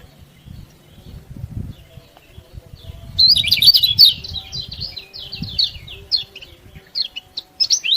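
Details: Yellow-bellied prinia song meant to rouse other birds: after a few seconds of low rumbling, a loud run of quick, high, buzzy twitters starts and continues in shorter bursts.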